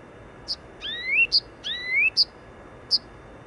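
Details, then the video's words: Blyth's reed warbler singing in Wola, Warsaw, Poland, near the Warszawa Zachodnia station: short sharp high clicks spaced between two long, smoothly rising slurred whistles, with a steady low urban hum. "Zaroślówka/ Blyth's Reed Warbler"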